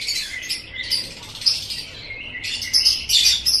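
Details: Lovebird singing for songbird training: a run of rasping twittering notes with some sliding tones, building into louder shrill squeaky bursts near the end.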